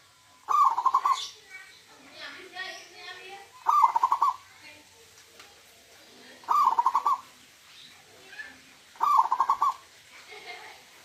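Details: Local wild-type zebra dove repeating its huuurrr coo four times, about every three seconds, each phrase a fast string of soft pulsing notes, with faint other bird sounds between phrases.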